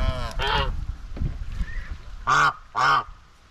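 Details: Domestic white Chinese geese (swan goose) grazing on a farm give loud, harsh, nasal honks, two strong blasts near the end about half a second apart, with other geese calling more softly earlier as social chatter.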